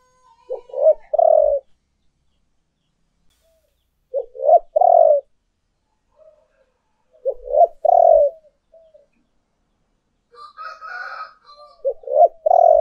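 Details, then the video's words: Spotted dove urging and calling coos used as a lure: four repeated phrases roughly every three to four seconds, each with quick clipped notes leading into a long, hollow, falling coo. A brief higher-pitched chatter sounds near the end. "tiếng cu gáy thúc và gáy gọi hay nhất"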